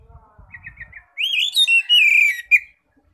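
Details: Ngeplong-style Oriental magpie-robin song used to lure other magpie-robins; starts with soft, quick repeated chirps, then bright, loud whistles rising and falling, ending with one sharp note.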